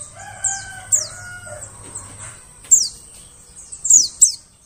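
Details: White-eye calls used as a forest bird lure: high, downward-sliding chirps scattered through, with a rooster crowing in the first half and a low hum beneath.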